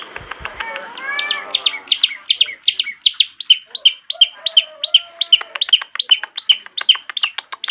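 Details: Long-tailed shrike song used as training material for young shrikes: opens with a few harsh, lower scratchy notes, then settles into a steady, quick series of sharp, high chips, roughly two or three each second.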